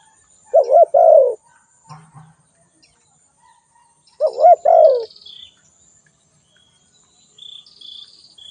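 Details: Two low, hollow coo phrases of a spotted dove, each with brief hoots and a longer falling note. Faint thin, high chirps from other birds are heard between phrases and toward the end.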